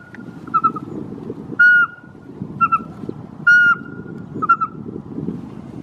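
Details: Several great spotted woodpeckers react to a pygmy owl's song with sharp, high 'kik' notes about once a second, over a steady whistled tone and a low rumble; finding: great spotted woodpecker.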